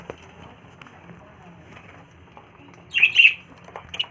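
A budgerigar gives a brief burst of scratchy, chattering chirps after a quiet stretch.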